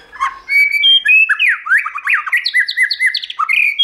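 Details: Stimulating many-voiced song of a white-rumped shama, used to train shamas to sing well. After a brief soft start, fast loud sequence of slurred whistles and downward-sweeping notes, about four phrases per second, with high thin ticks above.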